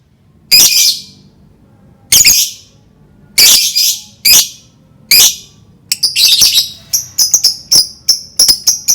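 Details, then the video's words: Lovebird calling with sharp, harsh, high squawks spaced over a second apart, then breaking into fast, twittering chatter of short shrill chirps near the end. "Dijamin Lovebird pasti langsung ikut bunyi"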